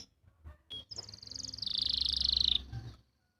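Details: Canary song from Pati, Central Java, used as a master recording to train young or silent canaries to sing: a sharp note followed by a fast, even trill of high pulsed notes lasting about a second and a half, with low background hum.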